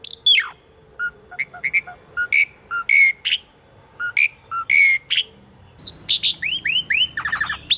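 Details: Asian pied starling song used as a lure for birds that have stopped singing: a steep falling whistle, then alternating low and high whistled notes, ending in a run of rapid upslurred chirps.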